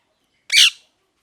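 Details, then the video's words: A parrot lets out one short, grating screech that rises sharply then trails off, loud against near silence. "Parrot Chirping Sounds | Natural Parrot Sounds | Parrot Calling Sounds"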